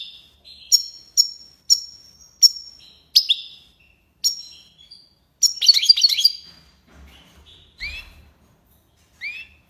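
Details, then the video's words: Goldfinch song called tiwawati: a steady series of crisp high chips, then a dense twittering burst and a few rising whistled notes. "مقنين(حسون) تيواواطي ليباساد"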